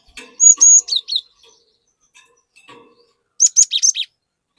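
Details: Cinereous tit singing to entice an untrained tit to sing: a phrase of ringing high whistles dropping into chips, faint twitters, then a second quick burst of whistled notes.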